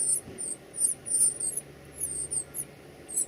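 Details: Baby birds being fed, giving faint, very high, thin squeaks in short bursts about every half second, over quiet indoor background.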